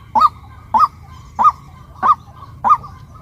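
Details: A female white-breasted waterhen utters five loud, hoarse, upslurred honks about 0.6 seconds apart over a quiet background hum.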